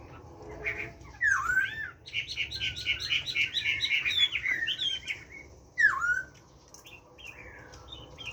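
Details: Chinese hwamei singing in captivity, a forest-style song: loud downslurred whistles, then a run of rapid repeated warbling notes, more slurred whistles near the end.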